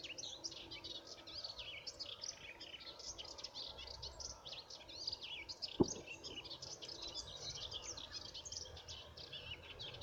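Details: Melodious warbler song recorded 17 April 2017: a fast, unbroken babble of high, scratchy twitters and chirps, with one sharp knock midway and faint background noise.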